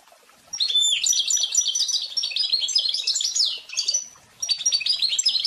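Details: Goldfinch × canary hybrid (pintagol) song. It begins after a short silence with dense, fast twittering and slurred high chirps, pauses briefly near the end, then resumes with further quick bright notes.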